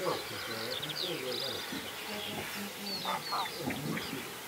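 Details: Whooper swan calling oddly at Vilkkilänturta, Virolahti, Finland, apparently trying to clear an irritated throat by drinking water; low, level honking notes repeated several times over steady background chatter of small songbirds.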